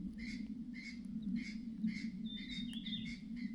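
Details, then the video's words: Harsh clattering calls from a mother myna alarmed by danger nearby, rasping notes repeated about every half second, a clear high whistled tone sliding across late in the clip, low mechanical hum throughout. "The mother bird is acting strangely, making a clattering sound—there may be danger nearby."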